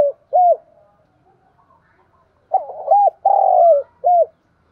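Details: Spotted dove lure call for attracting wild doves: a single short coo, a quiet gap, then a quick run of three or four throaty coos with one longer drawn-out note in the middle.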